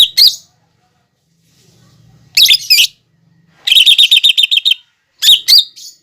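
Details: Masteran of a lesser green leafbird (cucak ijo) loaded with imitated fighting-sparrow, lovebird and sunbird phrases: paired shrill chips, then a fast run of about ten rapid identical notes, ending in more doubled chirps.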